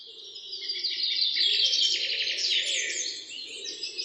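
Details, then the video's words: Birds singing in the morning beside a road through the middle of a forest: a dense chorus of high chirps, twitters and fast trills overlapping continuously, with a soft low hum underneath. "birds singing"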